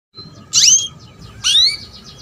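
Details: Female canary calling to lure a male into singing, used to prompt young canaries to sing; two loud, sharply rising, whistled calls about a second apart over a faint, steady background twitter.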